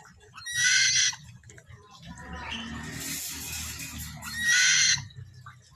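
Buffy fish owl giving two loud, harsh, wheezy screeches about four seconds apart, with a softer hissing rasp between them and faint low hum beneath.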